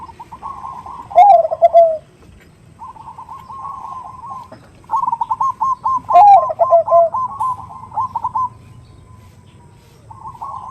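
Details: Female zebra dove, perkutut, calling a male ('nutut' lure sound): two loud deep rolling coos about five seconds apart, each woven into long runs of rapid stuttered higher notes.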